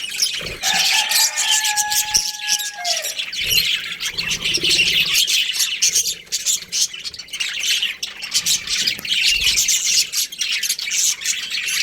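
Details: Two budgerigars of a breeding pair chatter steadily in high scratchy twitters; early on a clear, level whistled tone holds for about two seconds and slides down at the end.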